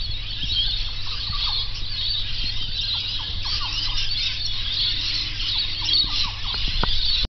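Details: Birds heard at about 5 am on waking, a dense, continuous chorus of high chattering and twittering with many overlapping voices and short whistled notes, over a steady low rumble.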